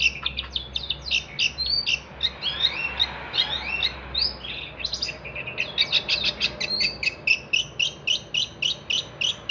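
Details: Energetic long-tailed shrike song used to tutor other songbirds: a fast, varied jumble of chattering and slurred notes that settles into quick, evenly repeated sharp chips toward the end, with a faint low hum beneath.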